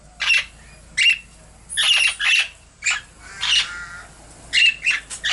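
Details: Captive baby princess parrots in a cage on 17 December 2017, recently out of the nest box and learning to fly, give harsh, raspy squawks in short bursts about once a second, some rising into broken, wavering rasps.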